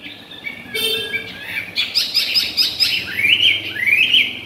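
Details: Caged tame Chinese hwamei singing while feeding. A brief harsh, buzzy burst opens, followed by a quick tumble of short notes, then sweet whistled slurs rising and falling toward the end.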